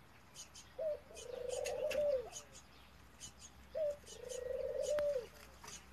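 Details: Male F1 hybrid dove, bred in Italy from a male ringneck dove and a female European turtle dove, giving excited coos: two low, rolling, purring coos, each opened by a short higher note and lasting over a second, with faint clicks behind.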